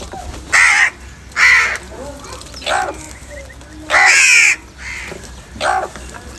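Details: Crows fighting over food in the morning: six harsh, rasping caws, each about half a second long, spaced irregularly. Four are loud and two are softer, over a steady high hiss.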